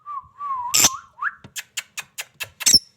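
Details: Lovebird giving a brief whistled note that wavers and slides upward, then a run of six sharp, shrill chirps spaced about a fifth of a second apart, ending in a louder squeak.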